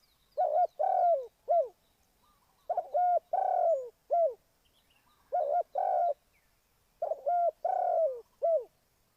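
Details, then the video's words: Lure spotted dove for trapping, cooing four phrases of a quick double coo, a long drawn coo and a short falling tail note, spaced about two seconds apart. Soft distant chirping sounds in the background. "Cu gáy Ninh Thuận"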